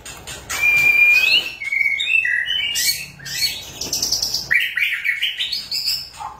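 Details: White-rumped shama song used as a lure for silent shamas: a clear level whistle, then varied quick whistled phrases stepping down and back up, with buzzy, scratchy notes between them.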